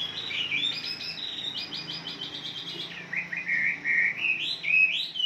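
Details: Wambi song played on a morning as a lure to get caged birds singing: high, varied warbling phrases, a run of quick stepped notes, then lower slurred twittering that rises again.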